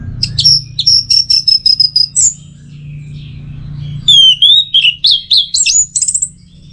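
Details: Kept orange-headed thrush singing for training recordings aimed at teler style: a rapid train of short high notes, a brief pause, then varied swooping, looping whistled phrases at a lively pace over low hum.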